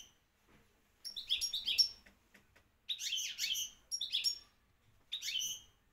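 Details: Moroccan champion European goldfinch singing in four quick bursts, each a tumble of high, liquid twittered notes with buzzy slurs, separated by short pauses in a quiet room.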